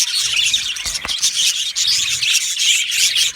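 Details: Aviary of yellow male budgerigars, a thick chorus of high scratchy chirps and short whistles running steadily with a couple of soft thumps.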